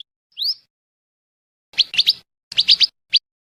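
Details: Scarlet minivet lure recording used for trapping birds: one clear upslurred whistle, then short clusters of three and four sharp rising whistled notes, ending with a single note; quiet background.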